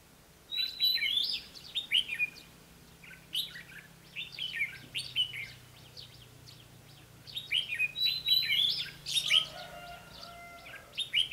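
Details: Decoy red-whiskered bulbul singing at a trap to lure and challenge wild birds, 20 May 2016; repeated rich whistled phrases in quick bursts every second or two, some sharp high notes, a faint low steady hum beneath.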